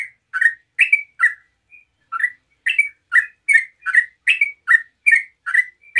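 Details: Yellow-vented bulbul pouring out bright, bubbly chirps in fast 'ropel' song intended to trigger other bulbuls to answer, about two notes a second after a short pause.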